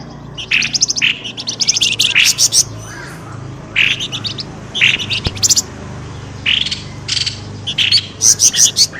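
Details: Birdsong used as a lure to draw birds out of bushes: noisy bursts of high, scratchy chirps and rattling trills, repeated in irregular clusters, with several buzzy notes and a steady low background hum.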